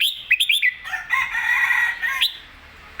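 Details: Red-whiskered bulbul in lively, clear song: three quick rising whistled notes lead into a long, rich warbled phrase that ends with an upward flick.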